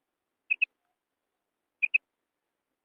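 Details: A female quail gives soft, clipped high notes in close pairs, the pairs spaced more than a second apart, with a single note at the end and no other sounds.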